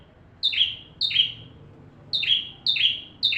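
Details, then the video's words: Bar-winged prinia singing at full intensity, a recording meant for tutoring white-rumped shamas. Four bright two-part notes, each a high chip sliding into a lower buzzy sweep, with a short pause midway. "Burung ciblek tamu fulll gacor cocok untuk masteran murai batu"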